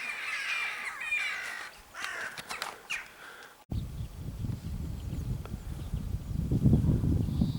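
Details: Western jackdaws on 14 April 2015 giving short, sharp 'tchak' calls in quick bursts over the first few seconds, followed by low rumbling wind or handling noise.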